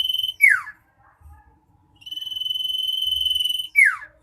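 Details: Loud, insistent common iora song used to stir lazy caged birds into singing: a falling slurred note, a pause, then a sustained buzzy whistle lasting nearly two seconds that ends in a sharp downward slur.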